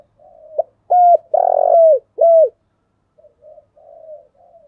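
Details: Spotted dove giving its full calling sequence as a trapping lure: a soft low coo, then three strong, hollow, slightly falling coos in quick succession, followed by quieter, broken low cooing.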